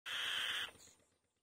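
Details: Female white-tailed kite calling loudly on the nest: a single hoarse, hissing rasp lasting about half a second, opening with a faint whistled rise, then fading quickly into quiet.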